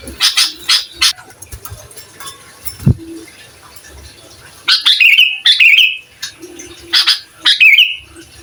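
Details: Sooty-headed bulbul, a gacor singer used as master recording to provoke other bulbuls: short bubbly whistled phrases near 2–4k, in bursts separated by pauses, with a few harsh chattery notes early on.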